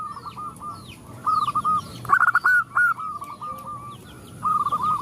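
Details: Female zebra dove calling males, with other zebra doves answering: bursts of quick, clipped cooing notes repeated in runs, callers overlapping, plus faint high sliding chirps from other birds.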